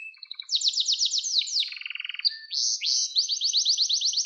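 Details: Canary song used to train young canaries: soft low notes lead into fast bright rolling trills, a lower buzzy rattle in the middle, then more rapid high whistled syllables repeated several times a second.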